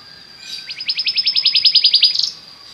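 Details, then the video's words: Belgian canary song meant to set other canaries singing: a brief, quieter run of about fifteen evenly spaced high chips, closing in a short buzz over a faint background hiss. "O canto do canário belga faz com que seu canário cante sem parar"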